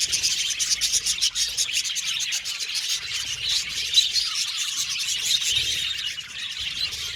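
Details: Many budgerigars in an aviary chattering, with fast, thin chirps and soft warbling notes blending into an unbroken, even chorus.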